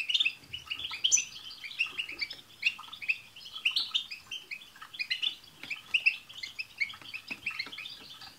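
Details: Several European goldfinches chattering together with tsts calls to stir a pet goldfinch into song; lively, overlapping high trills and chirps in short clusters, punctuated by light clicking.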